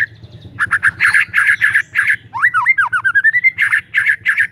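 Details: White-rumped shama song used as a lure to prompt silent shamas to sing: loud repeated harsh chattering bursts with a run of rising and falling whistled slurs in the middle, over a steady low mechanical hum.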